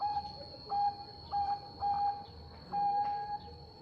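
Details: Bangkok-type zebra dove singing to provoke a rival; four drawn-out, even coo notes of mid pitch separated by short pauses, with a constant high-pitched hum and faint background noise.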